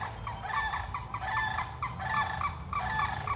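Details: Sandhill cranes calling near a feeding spot: a series of short rolling, trumpeting notes repeated roughly every second, somewhat distant, over a low background rumble.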